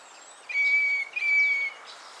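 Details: Northern Fiscal (Lanius humeralis) calling at Naro Moru River Lodge, Kenya: two sustained, even, high whistled notes in quick succession, the second slightly longer, against quiet background.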